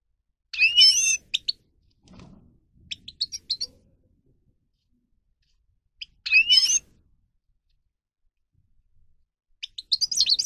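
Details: Grey-crowned goldfinch (Carduelis caniceps) singing, used to train birds to sing: two short bursts of bright, high twittering notes with sliding whistles, separated by long quiet gaps, with a few softer chips between.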